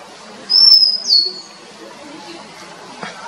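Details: Oriental magpie-robin in Sri Lanka, filmed on a Nikon COOLPIX P1000: two clear high whistled notes in quick succession, the first steady and slightly rising, the second sliding downward, over quiet background hiss.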